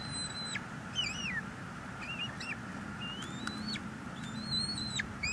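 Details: Two bald eaglets at a wild nest in northeast Florida, 23 March 2022, feeding on a big fish a parent brought, filmed by live nest cam; thin high whistled calls that rise, waver, then drop sharply, several in quick succession over steady background hiss.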